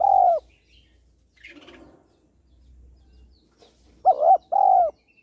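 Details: Female spotted dove calling to stimulate males: short low cooing phrases, one at the start and a paired coo near the end, with quiet gaps and faint background sounds between.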